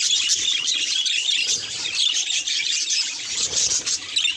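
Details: Budgerigar at a mirror keeps up an unbroken stream of high, chirpy warbling with scratchy squeaks throughout.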